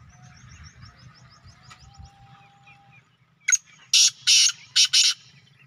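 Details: Black francolin calling in the evening in a village: four loud, harsh, rasping bursts in quick succession follow a quiet stretch of faint chirps from other birds and a low background hum.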